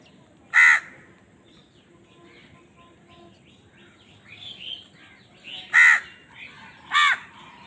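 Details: Amid crows fighting over food, three loud, abrupt caws ring out against softer distant cawing and chatter in between.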